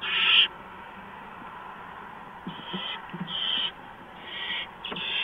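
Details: During a mouse delivery at a barn owl nest one March night, a loud short hissing screech opens, followed after a pause by softer rasping hisses and light scuffling sounds.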